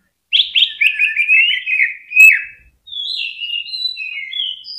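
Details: Greater green leafbird song used to stimulate other birds to sing, a rapid run of buzzy, warbling notes, a loud sharp note, a short pause, then higher, softer twittering phrases.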